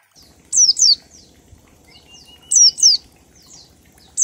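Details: Oriental white-eye 'ngalas' song of 1234 beats, meant to prompt other birds to sing: paired, very high, sharply falling chirps repeated about every two seconds, with a faint steady tone between them.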